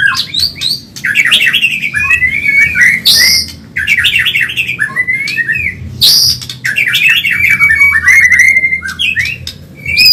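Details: Medan-type white-rumped shama recorded as training song for caged birds, loud and fast: rich mixtures of slurred whistles, rising and falling trills, sudden high sharp notes and short squawky bursts, sung almost nonstop with brief pauses.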